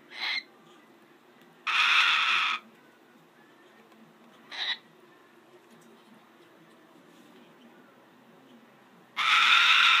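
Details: A rescued female Umbrella Cockatoo, excited during Christmas, gives four harsh, raspy screeches at irregular gaps (two short, two drawn out about a second) in a quiet room, calling out to another bird; the owner wonders if she is marking territory.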